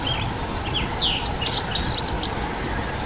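A Dunnock sings a fast, thin, jumbled warble of high squeaky notes running on without pause, over a low background rumble.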